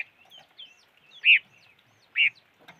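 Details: Bird giving two loud, clipped chirps about a second apart, with faint higher twittering notes before and between them.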